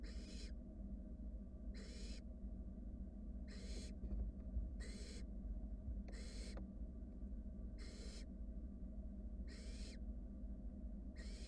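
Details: Barn owl chicks in a wild nest box, one sibling slowly swallowing a rat, produce rasping hissed begging screeches, eight noisy half-second bursts at fairly even intervals, with a constant low background hum.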